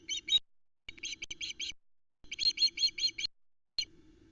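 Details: Young ospreys on the Loch Arkaig nest in Scotland, two sisters, around 8 pm on 11 August 2019, noisily complaining as the male brings a tiny fish: bursts of rapid, high, piping whistles in clustered series, with nest-camera hum.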